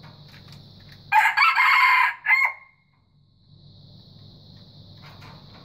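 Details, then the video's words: A white junglefowl gives one harsh, loud crow, a long rasping phrase ending in a short clipped note, with a steady high insect hum droning behind it. "Kokokan Ayam Hutan Putih"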